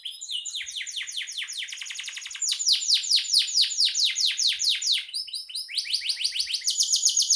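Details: Canary delivering a continuous song of fast rolling trills and loud falling sweeps, with brief high whistled phrases near the end.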